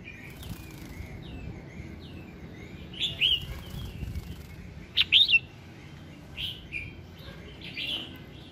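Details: Red-whiskered bulbul in morning song for prompting singing: fairly quiet, with soft chirps and two clearer warbled whistle bursts about two seconds apart, then further faint slurred notes.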